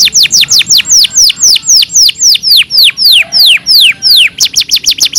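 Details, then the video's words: Canary song used as a training recording for pet canaries: loud, high whistled notes sliding steeply downward, repeated in rapid series of about three per second, ending in a faster run of short chips. "KANARYA SESİ EĞİTİM ÖTÜŞÜ CANARY VOICE!!!"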